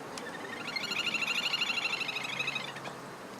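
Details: A little grebe (Tachybaptus ruficollis) calling in June 2014 gives a high, rapid whinnying trill of repeated notes, swelling then fading over about two seconds.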